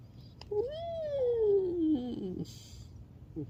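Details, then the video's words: Cockatoo giving a single long whistled note that rises slightly, then glides steadily downward before ending in a short wavering tail, over a low indoor hum. "I love his voice"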